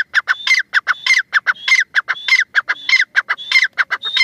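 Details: Loud calling of a female teetar, the grey francolin: quick, grating clicks interleaved with short whistled upslurs, forming a steady, insistent pattern that keeps repeating.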